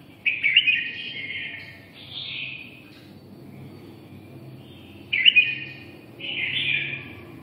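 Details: Red-whiskered bulbul from Nghe An, Vietnam, singing two short bursts of bright, slightly buzzy warbled notes. Each burst is a paired phrase. The bursts are about five seconds apart, with a faint low hum underneath.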